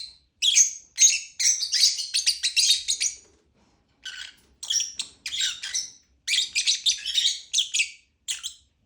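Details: Lovebird giving rapid, scratchy high chirps strung into quick runs of about two per second, broken by a short pause before further chattering bursts.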